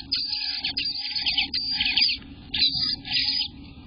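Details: Near-continuous high, scratchy chatter from Eastern bluebird babies in their nest on day 18, June 24, 2021, rising and falling in intensity with brief dips, backed by a faint steady hum.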